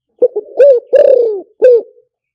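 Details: Decoy recording of a spotted dove for luring birds: one clean phrase of two quick short notes, a swelling coo, a long slurred descending coo and a closing short coo. No other sounds are heard.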